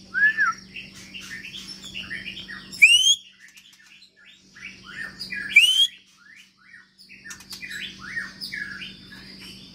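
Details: White-rumped shama, a long-tailed Medan bird kept in a large flight cage, delivers dense, varied bursts of whistles and upslurred notes in three stretches separated by brief silences, over a faint steady hum.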